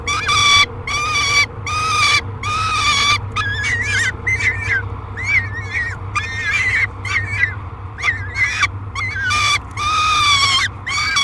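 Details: Peregrine falcon screaming through feeding in a nest box on July 3, 2021; long harsh wails with clear overtones alternate with quick chattering squeals across eleven seconds, low steady hum behind.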